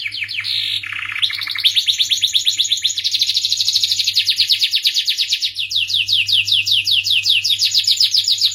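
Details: Melodious starblue canary song mixing varied notes: an opening dip into lower tones, then extended rapid high trills and finally a series of sweeping chirps at a slower pace; low hum in background.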